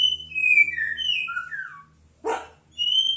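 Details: Oriental magpie-robin giving clear whistled phrases that slide down in pitch, then a short harsh burst, followed by another high whistle; faint low hum underneath.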